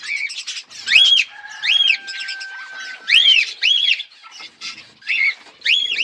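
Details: Colourful budgerigars with growing chicks: loud, arched, whistled chirps repeat in bursts about every half second, with a thin steady tone held in the background and softer chatter between calls.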